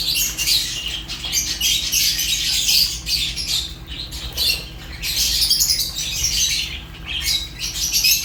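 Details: Fischer's lovebirds chatter with shrill, scratchy high chirps in long dense runs, broken by a few short dips in volume.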